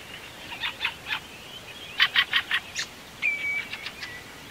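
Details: A common redshank on the Yazva River, Perm Krai, Russia, gives a loud, ringing piping call: short clear notes in quick runs of three to five, then a drawn-out whistle, over a quiet background.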